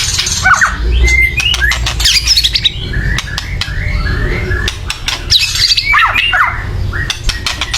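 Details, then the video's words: Loud, agitated white-rumped shama chattering used to excite other birds to sing, heard as scattered harsh clicking bursts with brief whistled slurs and sweeps over a rough, humming background. "kretekan keras murai / menaikan emosi agar bunyi"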